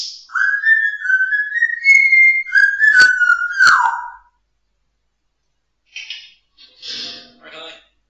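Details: Indoor pet African grey parrot whistling a TV dance show theme tune while dancing: a long, clear, sustained melodic whistle with two sharp clicks near its end, then pause and short raspy, breathy sounds.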